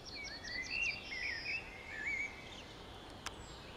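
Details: Thrush nightingale singing in Kiili, Estonia, on 15 May 2017 at about 19:59 in the evening: a quick run of high repeated notes, then fuller warbled whistles that rise and fall, over a soft background hiss.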